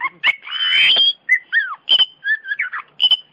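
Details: A champion Oriental magpie-robin kept caged delivers a loud buzzy rising phrase. Then come crisp, clipped whistles, a down-slurred note and quick twittering figures, each separated by short pauses.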